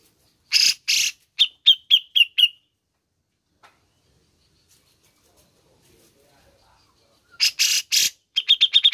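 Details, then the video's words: Grey-cheeked bulbul song played to encourage a caged bird: harsh, rasping bursts lead into quick, clear, repeated notes, then a quiet gap, then more harsh notes and a rapid chattering series. "CUCAK JENGGOT ANDA GACOR"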